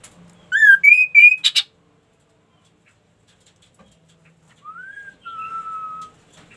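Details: Loud ashy tailorbird phrase of ringing, harmonic notes stepping higher and a sharp buzzy burst. After a long silence come a softer rising whistle and a sustained level whistle.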